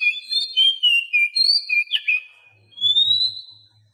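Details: Song of a captive Oriental magpie-robin, played to coax mute cage birds into singing: a rapid run of pure whistled notes sliding up and down, a sharp downward sweep, then a long rising whistle, with a soft low hum behind.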